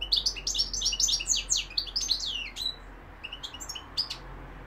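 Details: European goldfinch in full song: rapid tumbling run of bright, high twittered and slurred notes for about three seconds, then a few scattered chirps after a short break, over a low steady hum.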